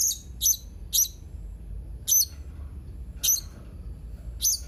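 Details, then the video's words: Blue-crowned hanging parrot giving six short, shrill, very high chirps in an uneven series, a few quick pairs and then wider gaps of about a second, over a faint low hum. "Suara serindit ini"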